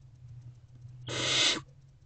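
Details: Hungry barn owl owlets in a nest box on a March evening give one breathy, harsh screech about half a second long, begging while their mother is away.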